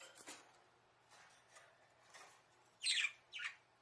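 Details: Pet budgerigar calls inside a small bird house, recorded by a camera slipped in quietly. Birds call out, wanting their keeper to play. Faint chirps lead up to two loud, harsh squawks near the end.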